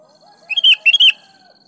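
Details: Sooty-headed bulbul in lively song, meant to draw a silent bird into singing back: a single bubbly phrase of two quick chirps followed by a rolling, slurred run of notes, over a faint low hum.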